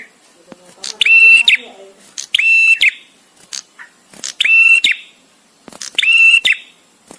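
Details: Male bar-winged prinia, a visiting bird, gives four loud, buzzy, ringing phrases separated by clear pauses of over a second, suited to song tutoring, with a few faint low sounds at the start.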